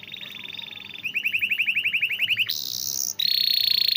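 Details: Canary song for encouraging other canaries to sing: a soft trill, a run of repeated swept notes, then high steady buzzy rolls.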